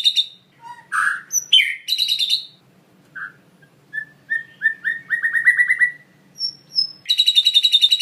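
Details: White-rumped shama performing a full isian song made of mimicked sounds: scattered whistles and chips, then a run of short, mid-pitched notes that speed up into a twittering series. A bright, fast rattle closes the passage.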